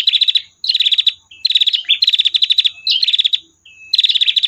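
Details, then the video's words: Female prinia giving long trills for use as a tutor recording: run after run of quick, sharp, repeated high notes, separated by short pauses and short level whistles. "masteran prenjak betina tir panjang"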